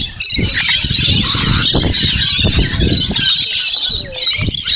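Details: Feeding-time crowd of rainbow lorikeets at Burrill Lake, on Australia's South Coast; harsh shrieking and squawking from many birds fills the air continuously, over frequent low thuds and a brief faint voice-like sound near the end.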